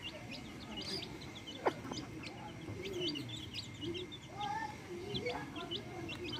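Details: Backyard chicks with hens: many quick high peeping notes throughout, plus a few lower drawn-out hen murmurs and one sharp click, over low rumbling noise.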